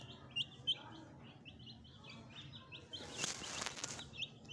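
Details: Fresh pet chicks with a hen: rapid high peeps, two louder ones near the start, then a brief rustling burst of noise before the peeping resumes.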